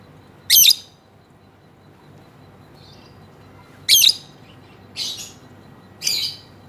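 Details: Female lovebird giving its long 'ngekek' chatter: sharp high chirping bursts, one near the start, then three more in quick succession toward the end, with quiet gaps between.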